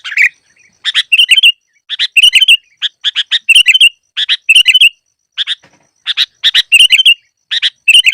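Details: Lure song of a sooty-headed bulbul for bird trapping, a rapid series of chirpy notes and liquid, warbled whistles in short bursts, repeated several times with small gaps.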